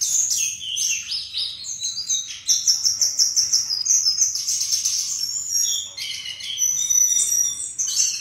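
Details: A flycatcher sings a sweet, beautiful song: rapid high twittering, then a fast series of evenly repeated sharp notes midway, followed by bright whistled phrases and buzzy trills.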